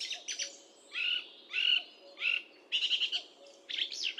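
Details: Song thrush singing a run of loud, varied phrases, some whistled and some rattling, each given in quick bursts under a second long.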